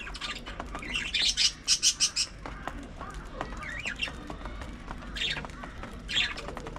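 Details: Budgies during early morning feeding: a quick cluster of bright, pulsed chirps, then quieter twittering and a couple of isolated squeaks.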